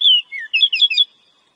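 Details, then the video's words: Brief phrase from a wild Oriental magpie-robin, or kacer: a slurred falling whistle, then a quick run of four bright, wavering notes, all high-pitched and clear, with no other sounds. "Pancingan suara burung kacer alam"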